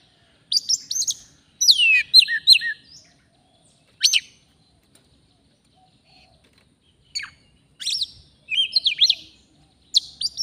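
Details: Oriental magpie-robin, a forest bird recorded during a trapping session. It gives short bursts of sweet whistles and sharp clicks, separated by pauses of one to three seconds, with a quiet spell partway through.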